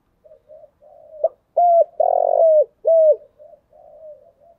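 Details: Spotted dove coo phrase from a lure bird playing the thúc, gù and gáy calls. Soft low murmurs build to three strong hollow coos, the middle one longer and burred, then taper back into quiet cooing.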